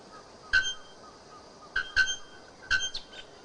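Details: Bare-throated bellbird singing in the wild: sharp, bell-like metallic strokes, one single, then a quick double, then another, with soft ringing notes in the gaps.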